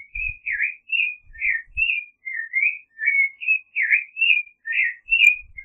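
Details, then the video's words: Creamy-bellied thrush (Turdus amaurochalinus) singing a steady run of short whistled phrases, warbling slides and rising-falling notes repeated about twice a second, with soft low thumps in the background. "Zorzal Chalchalero Canto - Creamy-bellied Thrush Song"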